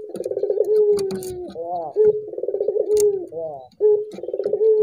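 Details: Softer collared dove cooing intended to make other doves sing, pulsed rolling notes and falling tones repeated several times, with faint clicks and background rustling between phrases.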